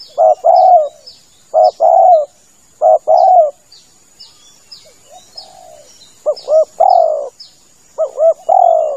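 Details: Spotted dove lure sound for hide hunting. Repeated two-part coos, a quick note then a longer falling coo, with a quieter soft coo in a pause. Later phrases open with a wavering double note. Small birds chirp faintly.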